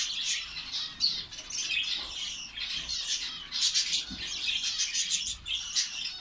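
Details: Colony of finches in Saudi Arabia chattering nonstop, high thin twitters and buzzy trills overlapping from many birds, with a soft flutter of wings partway through.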